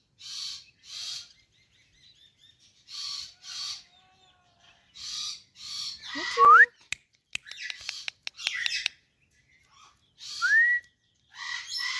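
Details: Indian ringneck parakeet taking a bath, giving short hoarse screechy calls in pairs every few seconds, with a couple of rising whistled notes and clicking splashes in the middle.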